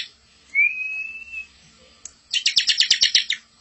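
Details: Master song of a bar-winged prinia for tutoring young birds: a long, thin, gently rising whistle, a pause, then a fast buzzy rattle of about a dozen notes.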